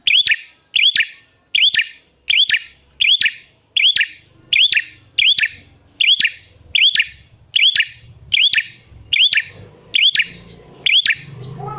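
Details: Bar-winged prinia calling loudly and incessantly, used as a lure to make wild prinias answer; sharp double-clicked chirps with a bright rising whistled hook, repeated about once a second, a faint low rumble late in the sequence.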